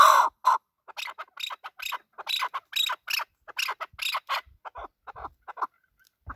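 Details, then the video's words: Male chukar partridge opening with two loud clucks, then a series of thinner, rasping chatter notes that gradually fade in loudness. "Male chakor voice"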